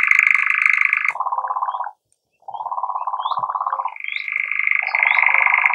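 European Nightjar churring: a long, dry, mechanical trill that switches between a higher and a lower pitch, broken by a brief pause. Faint high chirps sound in the background.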